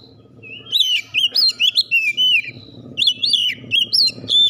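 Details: Singing-competition champion Oriental magpie-robin delivers a continuous series of loud, looping whistled phrases with high metallic chips, about three notes per second, over faint low background murmur.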